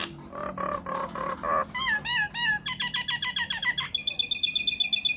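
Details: Myna song used as a lure to draw replies from other mynas: nasal, harmonic notes in quick series, shifting to rapid upswept chips and ending in a fast, even, high trill of ringing notes.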